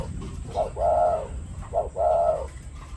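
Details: A spotted dove coos in courtship, giving soft, low, hollow coos in two phrases, each a short note followed by a longer drawn-out coo, over a steady low background hum.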